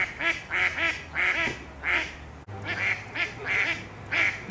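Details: Female Mallard ducks in mating season quarrelling over males, giving bursts of harsh quacks in uneven clusters of two or three, with a faint low hum in the background and a brief cut midway.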